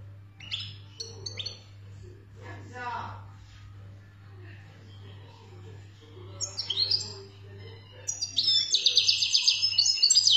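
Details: ['European goldfinch, Algerian khaloui song style: scattered high chirps and soft rustling, then at the end a rapid, buzzy high twittering trill, with a constant low electrical hum.']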